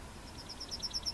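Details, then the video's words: Yellowhammer (Emberiza citrinella) recorded at Plochocin in July 2013, giving a fast run of short, high, evenly spaced notes, about eight per second, faint against a quiet rural background. "Trznadel II (Yellowhammer)"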